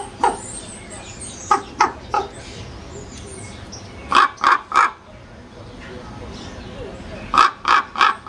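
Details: Croaking common raven giving harsh, rasping calls in clusters of three or four, spaced several seconds apart, over a constant noisy background with faint distant chirping.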